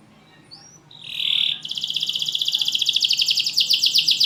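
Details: Caged champion canary, loud and with tight pauses, used to prompt canaries that rarely sing: a brief rising chirp, a short held high whistle, then a fast, very regular rattling trill.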